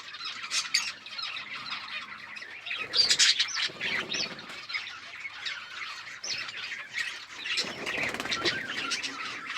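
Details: Budgerigars eating food, recorded October 29, 2023: a dense chorus of high, scratchy chirps and warbles from many birds at once, rapid and irregular, with brief louder bursts and a soft fluttering in places.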